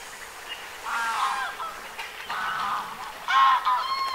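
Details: Gadwalls in winter give nasal, reedy duck calls in three short bursts over four seconds, with a steady wash of background noise. Recorded 24 January 2022 at Aiguamolls Natural Park, Catalonia.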